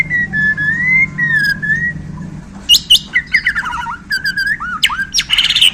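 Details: Bornean white-rumped shama, called murai Borneo, singing a rich varied song after being handled: a long wavering whistle, then bursts of sharp high notes, rising and falling slurs, with a low background hum.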